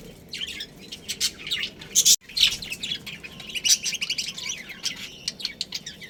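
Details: Budgerigar colony with a breeding pair kept at home: steady high twittering chatter with scattered sharp chirps and a brief cut in the sound about two seconds in.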